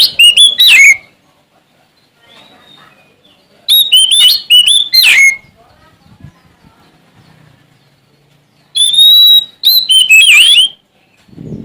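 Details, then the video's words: Sumatran male Oriental magpie-robin singing to challenge rivals, delivering three loud bursts of rich whistled and scratchy notes with slides, separated by quiet gaps of about three seconds. "Suara Asli Kacer Sumatra Gacor Cari Lawan"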